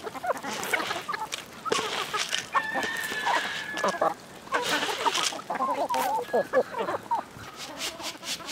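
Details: Farmyard chickens in a village, a brief faint crow then lively clucking and chattering calls in short bursts, mixed with rustling and knocking noises.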